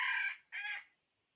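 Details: Decoy rooster crowing to lure wild fowl while trapping, 6/1/2021: a loud, harsh, harmonic crow segment, a brief break, then a second rough burst that fades out, followed by near silence.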